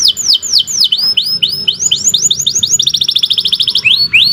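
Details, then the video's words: Atlantic canary song, lively and long, intended as a tutor for young canaries: swooping up-and-down whistles, a run of rising notes, a rapid even trill, then more swoops at the close. "Kicau Burung Kenari 80 II GACOR PANJANG"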